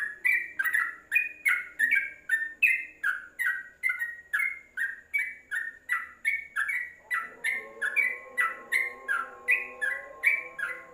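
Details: Trucuk, or yellow-vented bulbul, in a tutor recording for training caged birds: a steady run of lively, slurred chirping notes about three per second. A low humming sound comes in during the second half.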